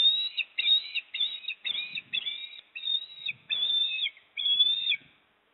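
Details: Osprey whistles from a Port Lincoln nest livestream, 26 September 2024, as the father brings a fish and the mother eats. About eight flat whistled notes, slightly quieter, come in a steady run and end in silence.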